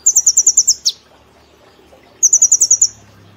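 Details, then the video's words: Caged brown-throated sunbird giving quick, sharply pulsed high trills of about eight notes. A short downward sweep ends the first burst, then a second rapid trill follows after a one-second pause. "Kolibri Ninja Gacor Nembak Platuk Cililin Sejalur"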